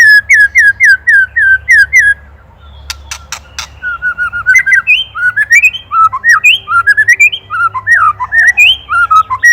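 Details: Ketrekan song of an Indonesian white-rumped shama, recorded as a training master for songbirds: a run of looping whistles, a burst of sharp clicks, then varied warbled phrases jumping between pitches, with a faint low hum underneath.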